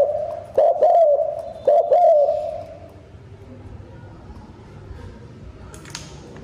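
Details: Spotted dove kept as a decoy to stimulate wild doves, with a fast cooing song. Two mellow coo phrases run through the first two seconds over steady background hum, followed by noise only.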